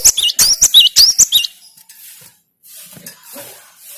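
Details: Cinereous tit (gelatik batu) delivering a fast string of loud, piercing whistled notes for about one and a half seconds, used to provoke other birds into song, then fading into soft background hiss.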